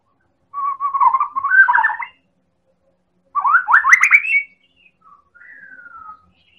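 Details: White-rumped shama from Medan, played to provoke other birds into singing: two loud bursts of fast rattling, rising trills, then soft descending whistles.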